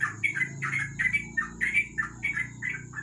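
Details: Under a lamp at night, a yellow-vented bulbul (trucuk) sings ropel: brisk, uneven bursts of bright chirps and short slurred whistles, with a low background hum.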